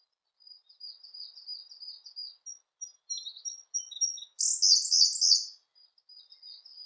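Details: Siberian blue robin singing: thin, high notes in a loose series, speeding up and stepping lower, then a sudden loud, very high buzzy burst, and softer high twitters afterwards.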